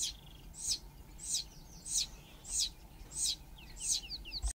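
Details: Begging Dideric cuckoo chick, a brood parasite reared by Southern Grey-headed Sparrows, calling to its sparrow foster parent for food: insistent high, slightly buzzy notes repeated about every two-thirds of a second, with small twittering chirps in between.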